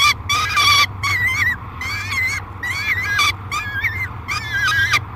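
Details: Nest-box peregrine falcon, noisy during feeding in July 2021: loud, grating screams and bent, wavering squeals in rapid succession, roughly two per second, over a low electrical hum.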